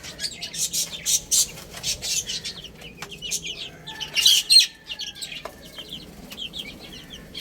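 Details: ['Baby chicks eating and playing: quick, high chirps in scattered bursts, mixed with sharp tapping and rustling clicks from pecking.']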